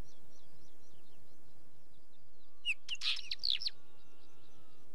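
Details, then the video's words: Wheatear giving a short burst of scratchy, crackling notes mixed with a few whistled squeaks, lasting about one second, over a faint background of distant repeated bird chirps and low rumble. "Wheatear Bird call"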